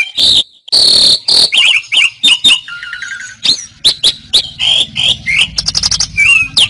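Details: Gacor song of jalak suren, the Asian pied starling, as tutor material for caged songbirds: harsh buzzy bursts, a short pulsed trill, then a long series of sharp whistled chips and slurs over faint low rumble.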